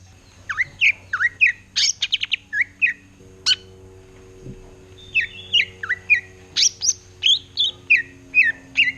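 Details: Greater green leafbird, kept as a pet, singing in a chattering ngerotek style while looking in a mirror: bursts of sharp, down-slurred chirps about three per second, a brief pause, then another run of bright notes over a steady low hum.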